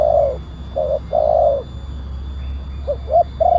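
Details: A loud spotted dove coos as a lure for wild doves: a strong drawn coo, two shorter notes and another long coo, then a brief pause before quick rising notes and a new coo, all over faint low hum.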